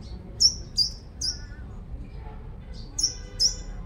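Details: Lure recording of a five-coloured sunbird in Long Thành, Đồng Nai, Vietnam: two quick bursts of three shrill, high chirps, each note a sharp flicked upstroke, separated by a short pause, faint low hum behind.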